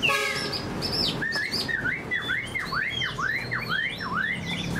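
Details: Caged fan-tailed Chinese hwamei, a good fighter with an eagle-wing display, repeats a rising-and-falling whistled note about twice a second in a rhythmic looping series after a few opening high chirps.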